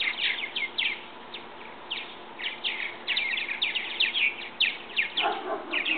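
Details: Purple martin youngsters testing their wings after leaving a bird house nest; irregular clusters of sharp, scratchy chirps, about two per second, pausing briefly and then building into dense chatter, with a lower warbled note near the end.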